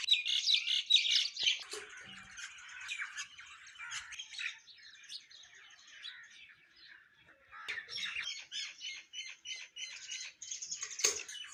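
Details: Myna song in the morning: busy squeaky chatter and harsh notes, a quieter lull mid-way, then rapid repeated chirps resuming and running to the end.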